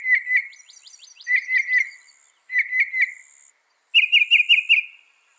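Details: Northern mockingbird delivering short whistled phrases of three to five quick notes, each phrase repeated, the last pitched slightly higher, with a faint high tone behind.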